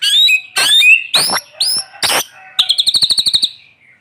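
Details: White-rumped shama, sunned in the morning, singing to get silent shamas going: loud separate whistled and slurred bursts, then a quick rattling trill of about a dozen evenly repeated notes.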